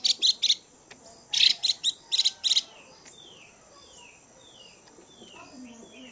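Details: Female Chinese hwamei calling to excite males into fighting. Clusters of rapid buzzy notes come first, followed by a sequence of thin, high whistles that slide downward, spaced almost evenly.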